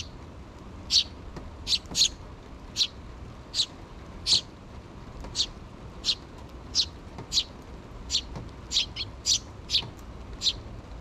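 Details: Two sparrow chicks, still in the nest with the mother bird nearby, begging their parents for food on 6 June 2023; short, high chirps repeat roughly every half second, about seventeen in all, over a low steady background hum.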